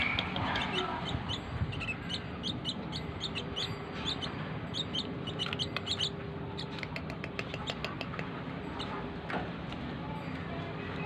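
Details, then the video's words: Asian pied starling (jalak keling), a tame bird, in a recording used as a lure to prompt singing: rapid, chattering series of short high notes repeated in quick bursts over a steady low background hum. "burung jalak keling gacor dor // burung cucak keling jinak gacor"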